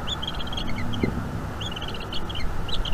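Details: Bald eagle nestling in North East Florida, feeding time in the evening, May 2021, vocalizing while its mother offers squirrel. Two quick clusters of high, piping chirps separated by a short pause, with wind rumble beneath.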